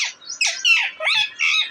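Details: Deshi parrot kept as a pet, April 28, 2024: a rapid run of five rough, rasping squawks, some rising and falling, as a woman nearby coaxes it in Hindi, with faint music around.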